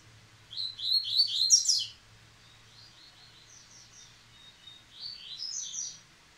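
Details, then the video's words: Singing resumed after the moult, a caged Rusty-collared seedeater gives a loud fast phrase of high slurred notes, then softer, quieter repeated snatches of the same twittering pattern. "Coleiro Baiano Caetano voltando a cantar após muda!!!"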